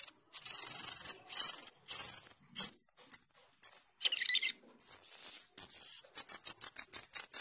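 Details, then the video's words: Jalak keling or cucak keling starling singing gacor teler: long piercing high whistles repeated in series, a brief harsh rasp, then quick stuttering whistled notes speeding up. "cucak keling gacor teler atau jalak keling gacor teler"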